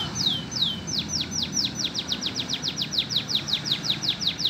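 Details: Green canary taught lovebird song delivers a long series of high whistled notes sweeping sharply downward, about three per second, evenly paced against a faint low hum.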